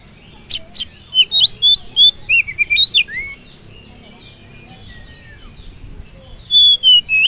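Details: Oriental magpie-robin song played as a lure to fire up other birds: loud, varied whistled notes, some rising and some falling, given in a quick run of about ten phrases. After a pause, a fresh burst follows. Faint low hum underneath.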